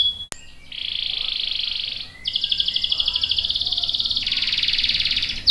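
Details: Canary singing a long roll meant to draw other canaries into song: a sustained whistled tone, then an extended rapid pulsing trill, with a sharp click near the start.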